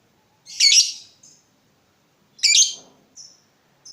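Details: Lovebird calling for luring and training other lovebirds: two harsh, high buzzy chirps about two seconds apart, each followed by a faint short whistle, in a quiet setting.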